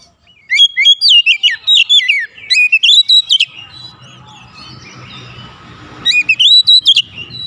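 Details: Oriental magpie-robin singing a provoking lure: a long run of rapid, looping whistles, then a hushed gap with low rumble before another bright whistled burst.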